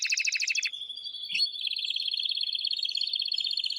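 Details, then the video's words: Male canary singing hard to encourage a female to mate; a coarse, fast pulsed trill gives way to an even, rolling trill repeated many times per second. "تغريد قوي جدا كناري هائج لتسميع الفراخ | canary singing"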